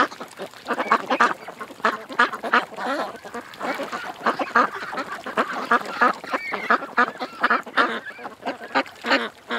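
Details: Many ducks gathered at a creek give dense, rapid, overlapping quacks, loud bursts rising and falling throughout.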